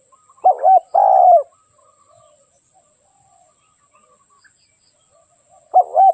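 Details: Trapping decoy spotted dove giving a burst of low, husky coos, a double note then a longer falling one, followed by a long pause before another double coo begins; otherwise quiet apart from a faint high hiss.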